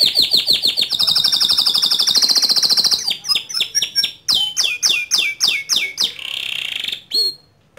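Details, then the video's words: Loud white canary in full song: a rapid rising trill, a run of crisp falling slurred notes repeated several times a second, then a buzzy burst and a final chip. "Kicau Kenari Putih Gacor Suara Keras"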